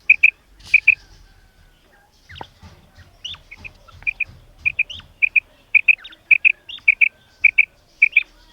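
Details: A female common quail gives her call, known locally as batair ki karkari. Quick doubled high pips come in steady bursts, with a few scratchy softer notes and faint low rumble between them.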